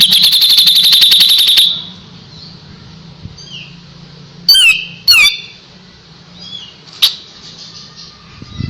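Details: Kapas tembak, recorded as tutor song for white-rumped shama, opens with a dense rapid rattle of shrill notes, then goes quiet apart from faint whistles and a few sharp sweeping high calls.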